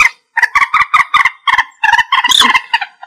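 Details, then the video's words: Common moorhen calling, used as a trapping lure: a rapid run of loud, harsh, clucking notes, each with stacked harmonics, in bursts of about eight over three seconds, with a rougher, noisier note near the end. "Tiếng chim Trích Ré(Kịch) | The sound of the bird Gallinula chloropus"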